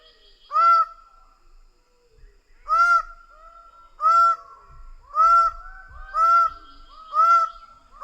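Greater bird-of-paradise giving six loud, nasal, honking calls, each briefly rising then falling, about one per second after a short pause; faint low thumps underneath.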